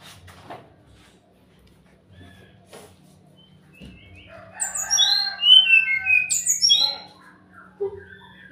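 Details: Sumatran laughingthrush song used as a lure to make silent birds answer: after a quiet start with faint knocks, a burst of loud, varied whistled and chattering phrases rises and falls for about two seconds over a steady low hum.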